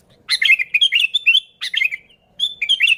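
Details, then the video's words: Sooty-headed bulbul song used as a lure for bulbuls, a fast run of liquid, bubbly chirps in three phrases separated by short silences. "Suara Burung Kutilang Gacor ASLI Tanpa isian, Ampuh untuk Pikat Kutilang bikin kutilang Ribut gacor"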